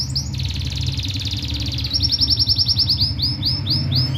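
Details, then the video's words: Singing canary crossed with gulsir, Parachinar, 2022: loud continuous rolling trill, a dense buzzing roll that shifts pitch midway into a pulsed rapid series of repeated notes, with a constant low hum beneath. "GulSir qanary Cross gulsir full singing rolling sounds"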